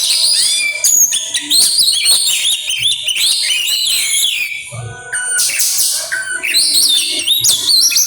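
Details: Oriental magpie-robin singing loudly and bringing out its imitations, a fast medley of shrill whistles, slurred sweeps and harsh bursts with brief pauses.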